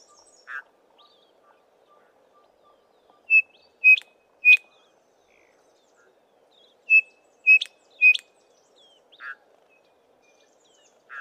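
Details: Male Chinspot Batis with a small group foraging in tall Acacia trees gives his loud three-note whistled call twice, notes evenly spaced about 0.6 seconds apart, while softer, buzzy notes sound between the phrases.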